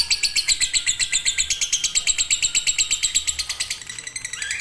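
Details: Lovebird singing in the fighter or konslet style for use as a master recording: a rapid, even string of piercing chirps in a high buzzy trill, ending with a short rising note.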